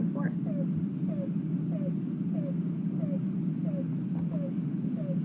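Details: A Yellow-billed Cuckoo, a forest bird known as the rain crow for calling before rainstorms, gives a quiet series of eight hollow, down-slurred cow notes about two-thirds of a second apart, over a steady low rumble.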